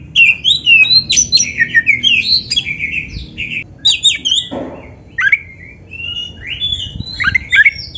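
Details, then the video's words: Oriental magpie-robin (kacer) pouring out training song: fast whistled phrases and buzzy trills, broken midway by a brief rough noise burst, then more spaced, bright slurred notes. "MASTERAN KACER GACOR FULL MATERI MEWAH !! - Suara Burung Kacer yang Cocok Buat LATIHAN"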